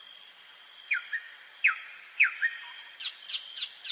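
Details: Common nightingale at night in a forest, giving sharp downward-sliding whistled notes about every half second, then a quick series of high slurred notes, with a constant high background hiss.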